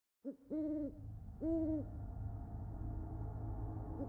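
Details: Great horned owl at 4:50 a.m. out back, giving two deep, even hoots about a second apart over a steady low background hum.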